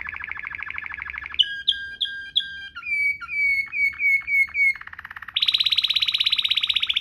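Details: Canary of the Waterslager type singing rolling ngerol song used as a tutor recording: an even roll, ringing bell-like notes, dipping whistled tones, then a higher, brighter rapid roll.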